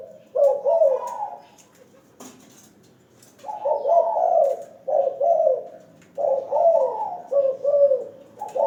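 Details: Spotted dove (terkukur) kept in a hanging cage and calling often: a short coo phrase, a quiet gap with a click, then a run of rolling, burry coos.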